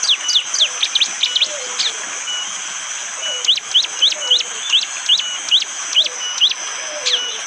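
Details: Wild bar-winged prinia singing its hard, sharp 'shot' song in the morning forest of Wonocoyo Village, East Java, Indonesia, amid rain: quick high notes sweeping down, in bursts of rapid repeats, faint lower whistles and constant rain hiss beneath.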